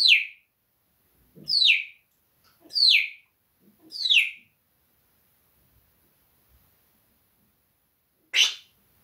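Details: Parrot reportedly cursing at the cat: four shrill, downward-sliding whistles about 1.4 seconds apart, then a pause and one short harsh burst.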